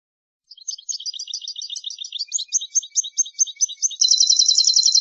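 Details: European goldfinch song recorded for tutoring young birds, from an Andalusian CD: lively twittering of high chirps that speeds up and shifts into a fast, even, ringing trill at the end.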